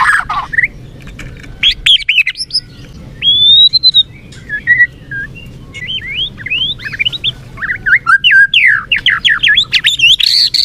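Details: Varied white-rumped shama song used as a lure to fire up a listless murai batu: a long clear whistle, scattered chips and fast swooping notes, building into a dense run of rising and falling phrases at the end.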